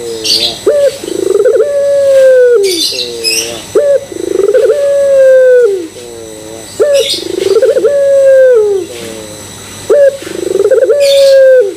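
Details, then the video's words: Barbary dove lure cooing used to make other doves join in. A steady cycle of short upward notes, each leading into a sustained even coo that sags at the end, roughly every three seconds, with sharp high bursts between. "Pancingan Puter Pelung Bikin Puter Pelung Yang Lain ikutan Gacor"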